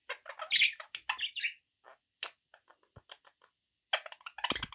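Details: Pet budgies in lively, scratchy chatter that thins to scattered faint ticks, then resumes with a loud rattling noise near the end.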